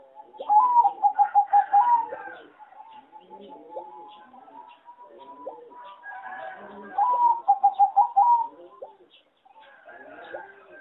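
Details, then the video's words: Farm-bred competition zebra dove with a melody described as poor. Two separate phrases of rapid staccato coos, each with about eight clipped notes, separated by softer cooing from a flock of doves nearby. "A lot of Zebra dove from many farms are not so good singing and worst melody"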